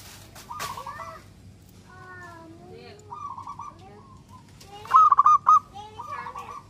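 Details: Zebra dove of a local strain singing often, used to stimulate other doves to reply. Several clipped, bubbling coo phrases are mixed with faint slurred whistles and a loud rolling burst near the end.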